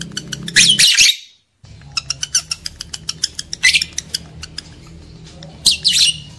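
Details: Lovebirds making shrill, grating screeches to rouse breeding desire in males and females: a loud burst at the start, a brief silence, then a stream of sharp clicks broken by harsh squawks at 3.7 and 5.9 seconds.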